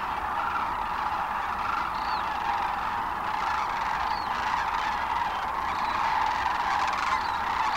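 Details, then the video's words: Sandhill cranes leaving their roost on the North Platte River, Nebraska, early morning, March 25, 2012; dense overlapping rattling calls from a huge flock blend into a constant roar, with a few clearer rising notes standing out. "Sandhill Cranes near North Platte, Nebraska"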